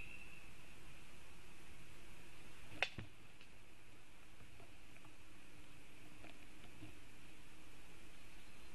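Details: Quiet steady background hiss with a faint constant high hum and a single sharp click just before three seconds; no animal voice stands out.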